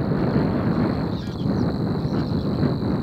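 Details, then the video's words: Savi's warbler, one of two singing at De Onlanden, Drenthe, the Netherlands, on 22 April 2018 in late morning: a steady, high, unbroken insect-like reel runs throughout, half buried under heavy rumbling wind. "Two Savi's Warblers / Twee Snorren"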